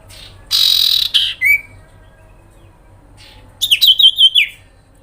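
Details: Sooty-headed bulbul, sirpu, giving a grincingan trill meant to draw a quick response from other birds: a harsh buzzy burst near one second, a short downslur, then a rapid pulsed trill after a pause.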